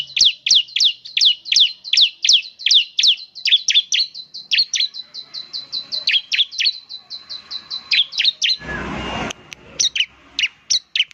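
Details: Bar-winged prinia singing in semi-active style, reputed to make other prinias join with rapid 'nembak' bursts: a long, steady chain of sharp, high chirps, about two per second, then a brief noisy rustle and a few more notes.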